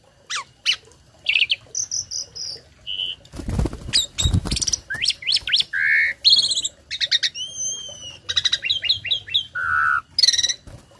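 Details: Tame Asian pied starling singing a forceful song of imitated phrases, used to tutor other birds. Varied whistles, buzzy rattles and clear slurred notes, interrupted near the middle by two brief low thumps.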